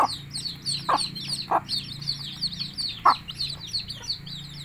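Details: Hen summoning chicks to eat, giving four short, low clucks spaced unevenly over the clip while the chicks keep up a constant chorus of shrill, rapid peeps.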